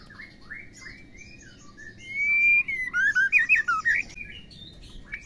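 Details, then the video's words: Calling female white-rumped shama, used to stir males into song: soft scattered whistles build into a loud, long level whistle, then a run of rapid twisting chirps repeated about three times a second before fading. "MURAI BATU BETINA PEMACU GACOR"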